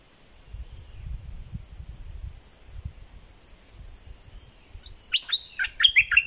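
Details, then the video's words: Near the end, a southern Thai bulbul bursts into a short run of loud, rising-falling whistles after several seconds of quiet low rumble, double-style song. "เสียงนกดอกแตงภาคใต้ สายเบิ้ล!!!Burung merbah lekir gacor bahanan"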